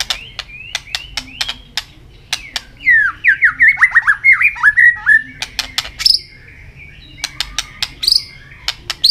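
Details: White-rumped shama pushed to sing in contest, tail flicking: sharp clicks and short upslurred notes, then a fast run of varied whistled and warbled phrases mid-clip, then more clicks with thin high notes.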